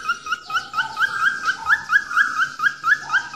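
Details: Falk bird whistling, recorded as a daily training track: looping upslurred whistles given about twice a second, with a second, lower whistled line weaving in between them.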